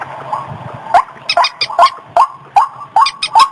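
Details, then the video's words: Waterhen lure sound for rice fields and gardens: a quiet, hissy first second, then loud rising croaks about every 0.4 seconds mixed with grating, high-pitched chatter. "suara pikat burung ruak-ruak"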